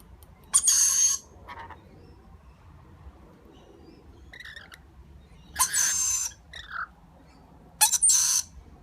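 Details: Parent lorikeets feeding their chick, which gives three long, coarse rasping begging calls several seconds apart, interspersed with shorter, softer squawks.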